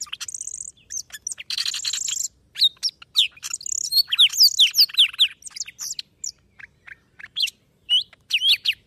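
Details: Song of a golden-fronted leafbird from Vietnam, used to lure birds for trapping: opens with harsh buzzy high trills, then tumbles into a dense medley of slurred whistles, sweeps and scratchy chips.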